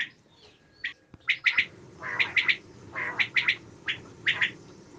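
Common quail giving its sharp, liquid three-note 'wet-my-lips' phrase, repeated about once a second, over a low background hum.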